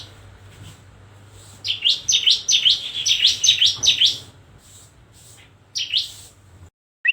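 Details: Bar-winged prinia song: a rapid run of about eight high, buzzy, V-shaped chirps over two and a half seconds, then a brief pause and two more notes.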